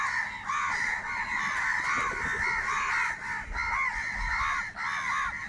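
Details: Large flock of crows calling while fighting for food, an unbroken wall of hoarse, overlapping caws and cries, steady loudness throughout.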